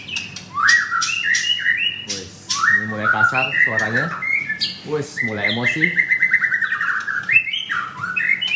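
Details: White-rumped shama, a caged male at a bird kiosk in Kemayoran, Jakarta, pours out rich rising and falling whistles and chattering notes while a man talks over part of the song.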